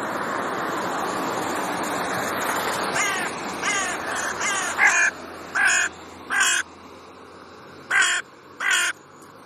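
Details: Raven from a pair holding their territory, bickering with neighbours: a run of rasping caws, first softer and quicker, then louder, evenly spaced ones roughly every second, over a noisy background.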